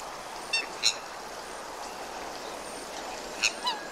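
A swan gives four brief, nasal, honking notes, two early and two near the end, over a steady background hiss.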